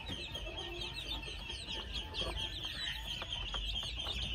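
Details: Two-month-old red junglefowl chicks giving many short, high chirps and peeps, some rising and some falling, over a steady high buzzing drone throughout.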